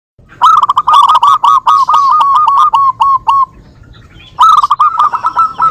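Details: Local zebra doves singing back and forth, a recording used as a lure. A fast run of clear, ringing cooing notes stutters along and fades out. After a pause, a second rapid burst of the same notes begins.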